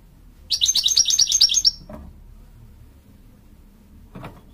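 An American Goldfinch gives a quick, high twittering run of about eight sweet notes, then falls silent; two soft knocks follow.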